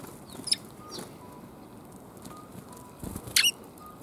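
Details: Sparrows coming to be fed, recorded 5 December 2021: two short, sharp high chirps, one near the start and a brighter harmonic burst later, over a steady faint background hum.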